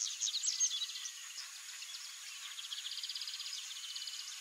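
Copper Seedeater song: high twittering notes, then a fast, even trill of repeated chips. A steady high insect-like hiss runs underneath.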